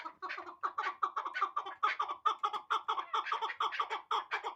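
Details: Rhythmic, hoarse chuk-chuk notes from a hybrid chukar partridge of last year's hatch, spaced about a quarter-second apart, each pulse rough and clipped, forming a steady repeated series.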